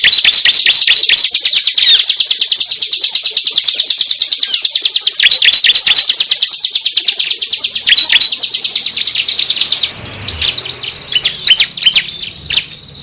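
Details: Cible, a bird whose call is used as a lure for trapping: rapid, high, sharp chirps repeated about two per second for ten seconds over a steady thin whistle, then looser, varied twittering notes.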